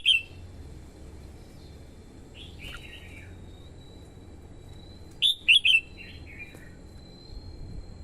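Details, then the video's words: Red-whiskered bulbul female singing to stimulate a male and attract wild birds: an opening chirp, a softer slurred phrase, then a loud cluster of three rapid warbled notes followed by fainter twitters, with a steady thin whine behind. "TIẾNG CHIM CHÀO MÀO YẾU LỬA HÓT KÍCH BỔI MỞ MỎ HÓT SỔ CĂNG LỬA"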